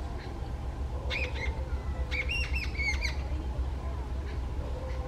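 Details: Jungle babbler, one angry bird calling out, with short bursts of harsh, nasal repeated notes around the middle seconds, quieter before and after, over steady low-pitched background noise.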